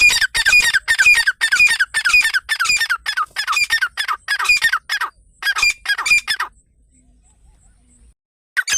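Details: Grey francolin (teetar) voice used for hunting: a long run of loud, grating, squawking notes repeated in quick succession, a brief break, then more, before near silence and one last burst.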